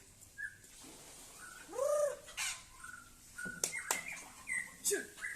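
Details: White-rumped shama of the Aceh type singing in competition: varied whistled phrases, some low arched notes and higher chirps, broken by sharp clicks and short pauses.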